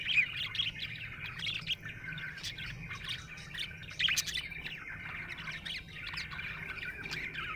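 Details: Happy budgerigar chirping in a steady chatter of quick high twitters and short warbled notes, with brief louder squeaks near the start and around four seconds, over a faint low background hum.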